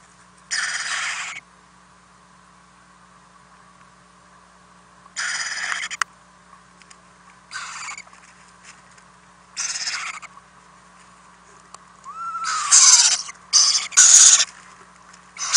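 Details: Owlets fed during the night inside a nest house, April 2018: six rough hissing bursts of irregular spacing, growing busier toward the end, with one brief curving squeal and a low background hum.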